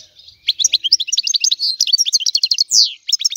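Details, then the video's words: Sicilian European goldfinch in a rare 'antique' style of song: fast twittering run of high chirps and short trills, a sharp burst at the end, then a brief pause before twittering resumes. "Canto del Cardellino | Richiamo"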